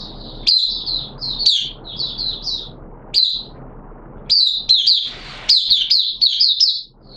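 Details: Caged oriental white-eye (mata puteh), a hobby songbird singing in wet weather on 6 September 2022. High, sweet twittering notes come in rapid bursts and short trills, separated by brief pauses, over a low steady background hum.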